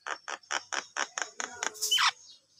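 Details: Javan myna singing energetically, a quick run of about eight harsh, rasping notes at roughly four per second, closing with a higher squeaky, swooping note.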